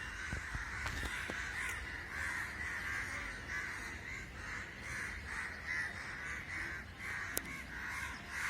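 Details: Crows gathering in a large group, an unusual flocking the observer cannot explain; a dense chorus of harsh, overlapping caws runs without pause, with a few sharp clicks and low rumbling background noise.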